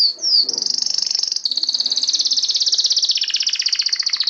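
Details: Canary delivering a sustained high rapid trill, beginning with a quick slurred note and running steadily for about four seconds.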